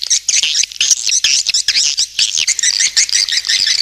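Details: Swiftlet lure call: a dense chorus of high, twittering chirps, overlapping and almost continuous, with short buzzy notes and brief gaps.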